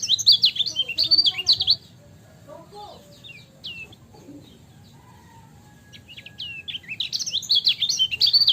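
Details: Lemon-bellied white-eye, called kecial kuning, in a training recording. A brisk burst of high twittering opens, then faint scattered chirps and soft lower notes, and a fresh fast twittering phrase returns near the end.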